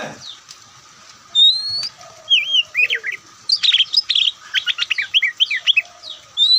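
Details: Oriental magpie-robin, the white-breasted form, whose attractive singing style is known as Ngobra: after a quiet start, clear rising whistles lead into a loud, varied run of fast, sharp chirps and slurred notes.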